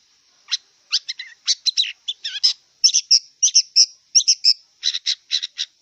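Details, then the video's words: Wild long-tailed shrike singing a jerky sequence of short buzzy and chirping notes, some with wavering slurs, repeated in quick clusters with brief gaps, over a faint high hiss. "Kicau cendet liar"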